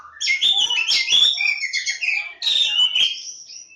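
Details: Oriental magpie-robin (kacer jawa) with a dense, loud run of whistled and buzzy notes, a sweet sliding whistle, and a long drawn whistle trailing off at the end.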